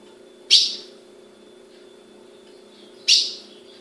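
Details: Two clipped, piercing chip notes from a female Ultramarine grosbeak kept by a breeder in Brazil, about two and a half seconds apart, with a quiet indoor hum.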